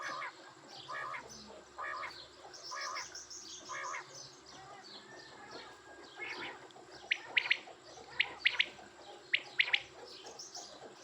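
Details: Soft, muffled notes open the recording, then quail calls turn sharp and high in the second half, with piercing doubled chirps repeated about once a second.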